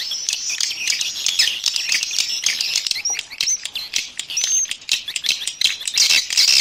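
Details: Swiftlet external sound from a 2020 set: hissy, high twittering with scattered thin upward whistles and rapid clicks, louder near the end.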